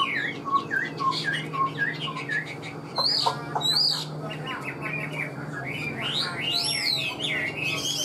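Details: Caged Chinese hwamei singing a busy mix of short whistled notes, sharp upward sweeps and chattering bursts, loud and varied, with a steady low hum underneath throughout.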